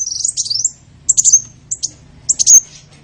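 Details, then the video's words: Sparse, high, slurred chirps and short whistled notes in a few small clusters over a steady low hum. Small-bird sound meant to lure small birds. "SUARA PIKAT BURUNG KECIL"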